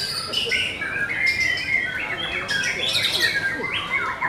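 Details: Competition singing from white-rumped shamas: bright, varied whistled phrases with quick upward slides and sharp chipping notes, densely layered over one another, with a faint hum of people in the background.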